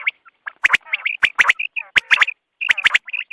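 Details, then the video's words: Quail calling at dawn for hunting purposes, with rapid three-note bursts repeated about once a second. Scratchy, rattling notes fill the gaps, and short clear pips trail after each phrase. "batair ki awaz subha k liye"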